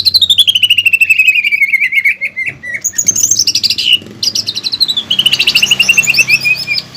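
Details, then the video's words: Greater green leafbird (cucak ijo) in vigorous training song with pelatuk bawang phrases; long fast trills that slide downward, repeated, interspersed with high rattles. "PANCINGAN DAN MASTERAN CUCAK IJO GACOR ISIAN MEWAH PELATUK BAWANG"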